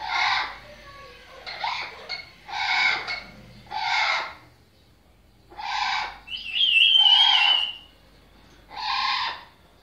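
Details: A talking, trained blue-fronted amazon kept for sale in Egypt gives a string of short, rasping, speech-like utterances, one about every second, with a clear rising whistle partway through, in a quiet room.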